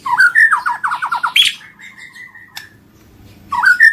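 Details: Lure recording of a White-rumped shama singing: a fast series of descending whistled notes, a sharp high squeak, then a long level whistle, and the descending run starting again.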